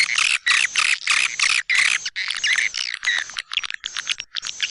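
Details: Lure call of the white-nest swiftlet for swiftlet houses, tested in East Kalimantan: rapid bursts of harsh, buzzy twittering chirps, roughly three per second, separated by short gaps.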